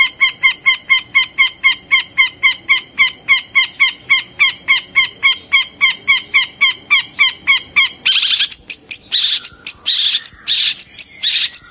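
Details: Long-tailed shrike calling to stir other shrikes into singing. A fast, even series of clipped nasal notes, about four per second, gives way to loud, ragged screeching bursts near the end.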